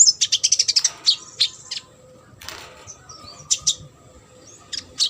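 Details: Sunbird full-repertoire song for tutoring competition birds: a fast series of high sharp chips, then scattered thin notes and brief squeaks, with a short rustle midway.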